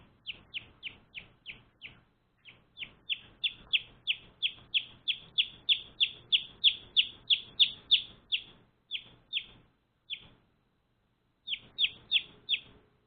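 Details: Recently adopted one-day-old chicks kept as pets, producing a long, regular series of around forty shrill, downward-sliding peeps, with short pauses near the start and a longer gap before a final quick burst.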